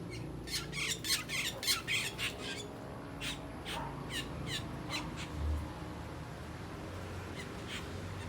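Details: Several Asian glossy starlings making noises while feeding on ripe papaya: loud, harsh, clicking squawks in an irregular burst, then scattered sharp notes, with a low rumble underneath.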